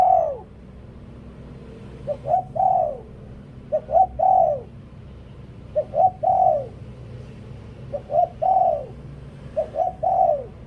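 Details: Decoy spotted dove repeating its cooing song over a steady low hum. Each phrase has two quick short coos and then a longer downward-curving coo, and the phrases follow one another roughly every two seconds.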